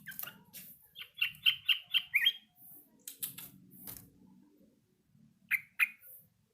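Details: Yellow-vented bulbul learning its song: a quick run of five short, clipped notes, then a pause and two more similar notes near the end, over a faint low hum and occasional knocks.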